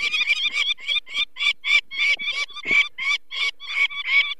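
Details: Alarmed adult peregrine falcon by its nest in the Barycz Valley on 2 May 2023, while people remove one chick for its eye problems. Harsh, nasal cackling notes arrive in an uneven series, roughly one per second or a little faster.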